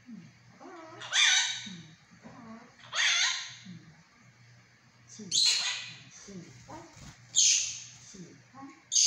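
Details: Monk parakeet kept as a pet, talking in Mandarin: four loud, raspy squawk-like phrases spaced about two seconds apart, with softer low murmuring between them.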